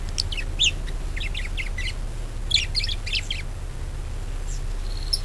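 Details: Budgerigar chatter serving as a lure to make other birds sing: two bursts of rapid high chirping notes, followed by quieter sparse chirps and a short thin whistle, with low rumbling underneath.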